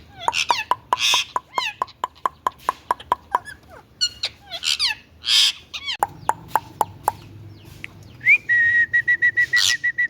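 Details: Indian ringneck parakeet chattering: fast ticking clicks with short curved squeaks and bursts of harsh notes, ending in a rising whistle followed by a steady string of even, clipped whistled beeps.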